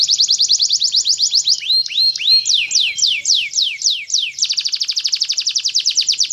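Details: An Atlantic canary in full 'gacor' song: a fast run of repeated high notes, a slower phrase of rising and falling whistled slurs, then another rapid repeated tour.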